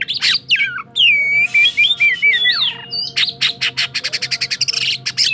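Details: White-rumped shama, cakrawala type from Sukabumi, delivering a rich song of slurred whistles and curling phrases that shifts into a rapid run of clipped, repeated notes near the end, over a faint low hum.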